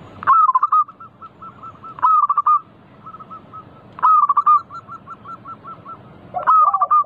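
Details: Zebra dove, a local bird singing actively as a lure for other doves: a loud stuttered burst opens each phrase, followed by a run of short hooked coos, with phrases repeated about every two seconds.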